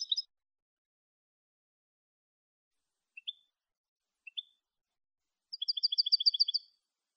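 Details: European goldfinch with clean Malagueño song, made for teaching goldfinches: an opening chirp, two single upslurred notes with long silences between, then a quick even trill of about a second.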